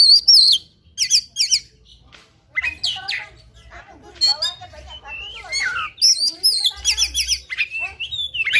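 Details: Oriental magpie-robin in combative song, full of fill-in phrases: rapid buzzy chip series, quivering whistles and descending slurs, delivered in energetic bursts with one short silent pause.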